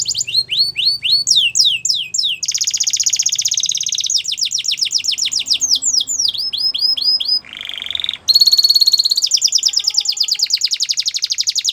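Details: Canary song played to encourage a quiet canary to sing again: varied phrases of fast downward-sweeping notes, dense buzzy rolls, a lower harsh churring section, then a loud high rattling trill, all clean and uninterrupted.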